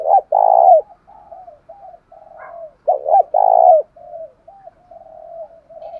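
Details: Spotted dove voice of the 'thổ sấm' type, used to stir a decoy bird: a long rolling coo opening, soft trailing notes, then a double note and another long coo, fading into murmurs.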